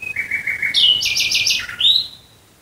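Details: Near Dresden at night, a nightingale sings a full phrase: a low steady whistle, a stuttering run of quick repeated notes, and a closing upward-slurred whistle.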